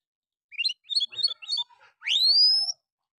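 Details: Oriental magpie-robin song used to provoke rival males that sing too little. Quick series of high, jerky twittered notes followed by a long, loud whistle sweeping steeply upward and holding.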